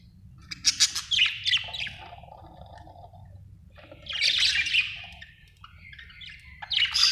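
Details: Budgies chirping in two bursts of scratchy, buzzy chatter with quick whistled notes, separated by a quiet pause, over a faint low hum.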